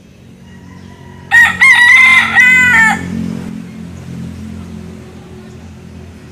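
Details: Young rooster in the Philippines crowing to show dominance over his territory: one loud, harsh, drawn-out crow of about two seconds in several segments, followed by quiet low background rumble.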